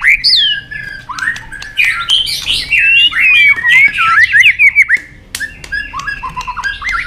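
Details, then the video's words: White-rumped shama flicking its tail and hopping on its perch, singing a long forest-style competition song: rich, varied whistles, rapid slurred notes rising and falling, dense phrases with brief pauses, ending in lower warbled notes. "chòe lửa đập đuôi nhấp cầu hót đấu giọng rừng dài"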